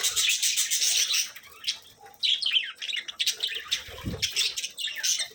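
Budgerigars chatter in busy, high-pitched warbles and chirps that come in bursts with brief pauses.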